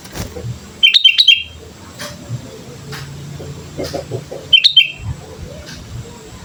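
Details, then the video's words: Sooty-headed bulbul song used as a training lure: two quick bursts of sharp whistled chirps roughly three and a half seconds apart, with faint low murmuring noise between them. "pancingan suara burung kutilang gacor"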